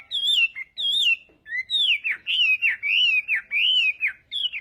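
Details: Clear, rolling whistled phrases from a Chinese hwamei singing its fighting-style morning song for voice training, each note swooping up and down in a near-continuous melodic run.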